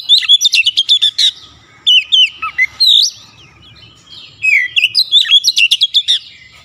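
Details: Kacer (Oriental magpie-robin) in full gacor song, unloading its varied repertoire. There are three bursts of fast staccato chirps mixed with whistled slurs, each about a second long, separated by short pauses.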